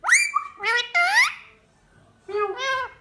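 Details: A pet male rose-ringed (ringneck) parakeet, over 10 years old, talks in conversation with its owner: three short, shrill, voice-like phrases with rising and falling tones, separated by a brief pause.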